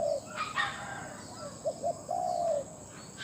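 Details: Captive spotted dove calling as a lure for wild doves. A long coo ends one phrase, then two short hiccup notes lead into another extended, slightly descending coo. Brief bright chirps from another bird appear near the start.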